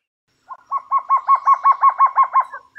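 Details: A short, tidy trogon series: about ten hollow, evenly spaced notes delivered in a little over two seconds, starting after a brief silence.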